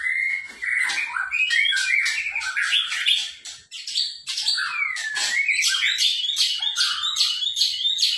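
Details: Energetic gacor singing by a white-rumped shama, 2021: a rapid, continuous stream of varied whistles, trills and scratchy chatter with brief dips, delivered almost without pause for eight seconds.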